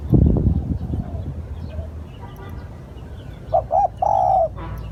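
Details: Lure call of a spotted dove: loud low thumping and rustling at first, then quiet, then two short hollow coos and a longer sustained coo near the end.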